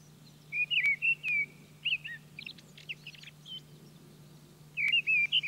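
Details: Mistle thrush singing in France: short, loud fluty phrases of a few whistled notes, separated by pauses and mixed with thinner squeaky notes, over a faint steady hum.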